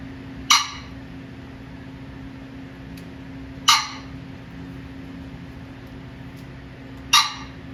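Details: Male pheasant making noise: three short, harsh, explosive bursts spaced roughly three seconds apart, each abrupt and broadband, over a steady low mechanical hum.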